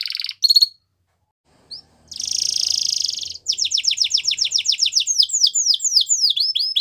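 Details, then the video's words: Canary song for training young birds: brief high trills, a pause, then a buzzy sustained trill followed by a fast series of downslurred whistled notes, all high-pitched and clean. "Canary Bird Sounds | The Best Canary Singing For Training"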